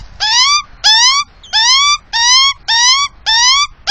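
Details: At a nest with chicks in suburban south-east Melbourne, Victoria, an Australian magpie gives harsh, harmonic calls, each sliding upward and lasting under half a second. Six evenly spaced squawks follow about every 0.6 seconds, picked up by a security camera two metres from a house.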